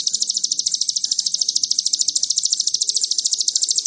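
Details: Sogon, the Ruby-cheeked sunbird, singing a 'nembak cililin' lure meant to rouse other birds: a dense, shrill, unbroken trill of quick regular pulses sustained throughout, with only faint low murmurs beneath.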